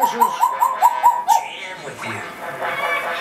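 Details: A pet hybrid macaw gives affectionate sounds: six quick, tonal, mid-pitched notes in just over a second, then rougher chatter, with a person's voice and noise in the background.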